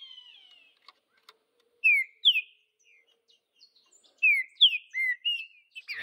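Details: Green-winged saltator singing in the wild in the Vidigal style, in the bush: two loud whistled slurs, a quiet gap, then a second burst of four or five clear descending and rising whistles, ending in a short noisy crackle.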